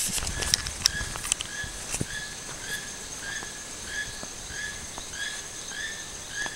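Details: Toucan calling in the wild at Sueno Esmeralda: a series of short, creaky, harmonic croaks repeated about every half second, over a steady high insect whine and faint clicks.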